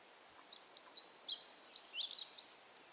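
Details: Dunnock song from Monkstown, Dublin, in April: a quiet, fast, thin, scratchy warble of high jumbled notes, over two seconds at an even, level pitch and volume; one of the simplest Irish bird songs.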